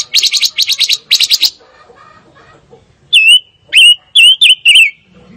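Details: Fire-tailed myzornis: rapid bursts of harsh buzzy trilled notes in two clusters, a pause, then four loud wavering whistles in quick succession.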